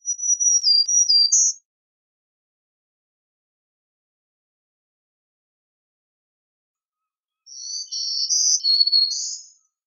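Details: Black-throated green warbler (Setophaga virens), song.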